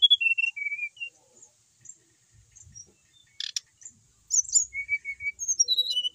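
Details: Singing kept brown-chested jungle flycatcher from Bali: three descending clear whistles, a quiet gap with a click, then high slurred notes and level whistles stepping lower to the end.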